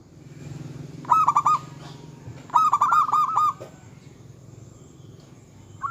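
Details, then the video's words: Local zebra dove singing energetically, said to stir up rival males and their mating urge: two quick rolling phrases of stacked coo notes over a low background hum, the second phrase longer. "Suara kutut lokal gacor yang bikin emosi lawan ahlinya menaikkan birahi lawan"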